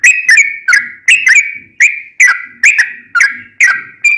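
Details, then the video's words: Sooty-headed bulbul in spirited fighting song, a training model for caged birds. Paired, sharply struck whistled notes slide downward, repeating a little over twice per second, with faint low background noise. "Trucukan gacor tarung ROPEL panjang"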